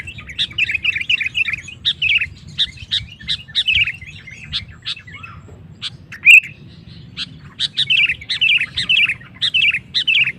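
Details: Sooty-headed bulbul (kutilang) singing to draw other males into song: runs of bright chirped and warbled notes, a short quieter break with one loud sharp note, then the lively runs resume.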